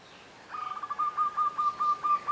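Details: Zebra dove (introduced) singing in the morning on Moorea, French Polynesia: a run of quick, soft staccato coos on one mid pitch, slowing into evenly spaced pulsing notes, with a faint background hiss.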